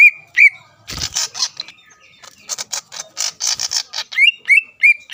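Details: Greater green leafbird song used to rile rival leafbirds: whistled notes open and close the phrase, with a long middle stretch of harsh scratchy chatter, plus a brief low thump.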